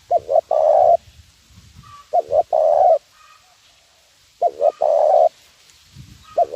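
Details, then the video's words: Spotted dove in 'nguku' lure call style, used for training birds, repeating a three-part coo about every two seconds: two brief notes, then a drawn-out, even hoot. Soft low background noise. "suara pikat terkukur nguku"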